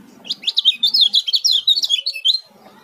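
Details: An Oriental white-eye, the Lombok kecial kuning, sings a fast, high twittering run of slurred notes lasting about two seconds, with a faint low background rumble.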